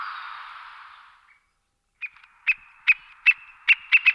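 White-backed Woodpecker giving a run of sharp, clipped 'kyuk' notes, about two or three a second, after a fading rushing hiss.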